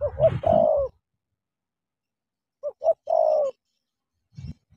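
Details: Spotted dove from Cà Mau, Vietnam, giving low, husky coo phrases of short clipped notes and a drawn-out falling coo, with rustling and a faint knock before and after.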